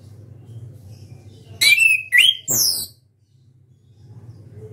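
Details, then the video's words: Orange-headed thrush singing loudly with open beak: a burst of about 1.3 seconds of three sharp, high whistled and buzzy notes, some sliding, then quiet with a low steady hum beneath. "ANIS KEMBANG SUARA KERAS BUKA PARUH"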